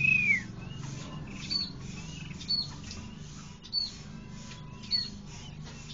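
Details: Chinese hwamei (Garrulax canorus) above water gives a clear downslurred whistle, then short, sharp, high notes about once a second, over a low steady rumble.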